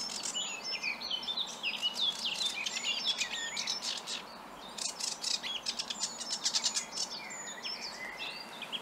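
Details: Newly arrived male sedge warbler, unseen in deep scrub at Oakenshaw, Bradford, in early May, sings a fast, scratchy jumble of chattering notes, sweet whistles and rapid buzzy trills, continuously, with soft rural hiss behind.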